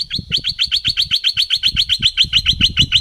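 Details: Thick-billed flowerpecker lure sound from southern Thailand: an evenly paced, rapid string of sharp, high ticking notes, about four per second, with a low rumbling noise underneath.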